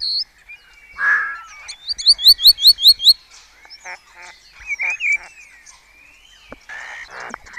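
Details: Starlings of a Spanish colony in Cabañeros National Park at first light, competing with song imitations; a hoarse rasp, then a rapid run of five bright rising high notes, followed by stuttering chatter and scattered whistles.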